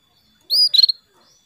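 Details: Female canary calling the male: a high sustained whistle dropping straight into a rapid run of four sharp chirps, with silence on either side.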